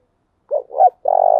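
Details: Spotted dove decoy cooing used to lure other doves: two short rounded low coos followed by a longer, steady, slightly pulsing coo, cut off at the end; no other sounds.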